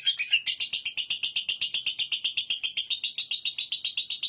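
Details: Lovebird chattering in a steady ngekek, crisp high clicking pulses repeated about four times a second after a brief jumbled start.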